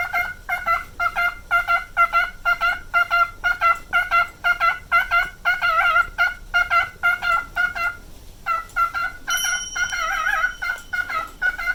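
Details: Male pet cockatiel, aged nine, delivering a steady string of short whistled notes about twice a second, interrupted by a brief pause, then wobbling vibrato notes and a high thin tone.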